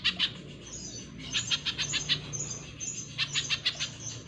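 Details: Spiderhunter (pijantung pisang), a caged bird recorded as a master song for training other birds, singing bursts of rapid high ticking notes in short runs with brief gaps, over a steady low hum.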